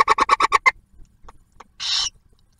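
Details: During a food delivery by the male barn owl to the female and owlet at a nest near Oak Harbor, Ohio, a quick run of six harsh chittering notes is followed by a single breathy hiss.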